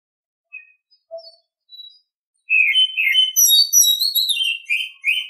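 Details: Morning song of an Oriental Magpie-Robin, opening with a few soft isolated notes before bursting into a loud, continuous stream of sweet whistles and scratchy trills that run to the end.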